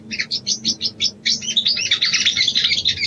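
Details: A female sooty-headed bulbul calling the male, used as a mating lure: about seven evenly spaced short chirps, then a brief pause and a rush of fast twittering high notes.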